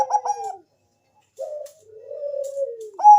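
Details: Bangkok-type zebra dove singing as a lure for other doves: a short burst of coos, a pause, then a long wavering coo that slides downward before another note begins.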